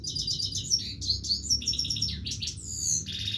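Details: Continuous song from a Himalayan goldfinch, a dense unbroken stream of high tinkling twitters, liquid slurred whistles and quick trills with no pauses, steady low hum beneath.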